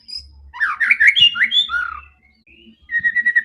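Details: White-rumped shama singing a loud, fighting song meant to provoke other birds: rapid varied whistled and slurred phrases, a pause, then a steady run of repeated notes.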